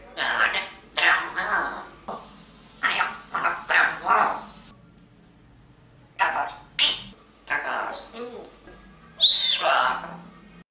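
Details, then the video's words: African grey parrot reciting the Maha Vakyas: clear speech-like phrases in short bursts of one to two syllables, with pauses between groups of words and a near-silent gap midway, no other sounds. "the African Grey Parrot says the Maha Vakyas"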